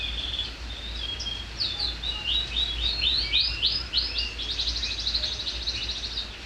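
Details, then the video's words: Canary with neck feathers still bald and not yet in full condition, singing a shrill song: rapid runs of high swept notes and trilled phrases, continuous over six seconds, with a steady low hum underneath. "Kenari suara melengking"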